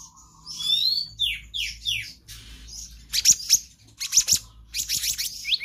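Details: Black-naped Monarch singing a nonstop varied song used to tutor other songbirds: a few slurred downward whistles open the phrase, followed by sharp buzzy bursts of high chirps at irregular intervals.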